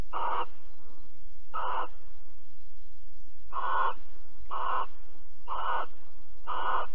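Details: Barn owl pair at Alphen, 22 April 2020, about 21:37, during mating and cuddling: six harsh, hissing shrieks of about half a second each, evenly spaced roughly a second apart, over a steady low hum.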